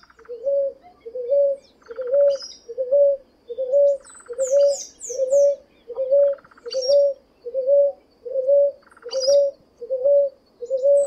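Ruddy Ground Dove giving a steady run of soft, low, two-part coos, a little more than one per second. Other birds add brief buzzy and high chirps.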